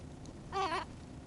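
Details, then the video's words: Gull calling while being fed, a single harsh, nasal, wavering cry of about a third of a second with strong harmonics over a low background rumble. "Feeding the seagulls"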